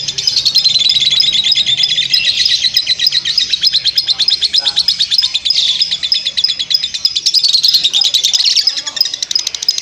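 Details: Lovebird performing a long ngekek, a continuous high-pitched chattering trill of rapid, densely repeated notes that rise and fall slightly in pitch without pause for nearly ten seconds.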